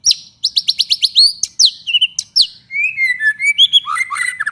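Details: Prolific 'gacor' murai batu, or white-rumped shama, singing to provoke other shamas: a rapid volley of high upward-flicked notes, then sliding whistles and a jumble of lower warbled phrases.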